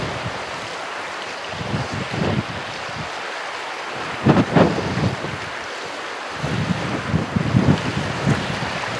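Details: Heavy wind buffeting the microphone over rolling surf, with no animal calls.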